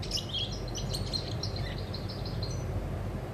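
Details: European goldfinch on 20 August 2020 giving a brief passage of high, rapid twittering notes, partly masked by strong low rumbling noise.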